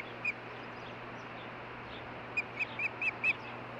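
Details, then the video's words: Ospreys, a pair at their nest in Hellgate Canyon, Missoula, Montana, June 14, 2015, exchanging calls. One clipped whistled chirp is followed after a pause by a rapid run of five similar high chirps, with a constant low electrical hum beneath. "STAN AND IRIS TALK IT OVER ~ JUNE 14, 2015 ~ HELLGATE CANYON OSPREYS"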